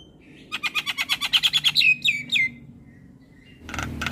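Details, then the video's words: Black-winged myna (jalak kebo) masteran song meant to teach young mynas to sing: a fast series of about a dozen clipped whistled notes, then three falling slurred whistles, ending in a noisy rasp. "Jalak Kebo Gacor Masteran Bikin Burung Jalak Muda Jadi Pintar Berkicau"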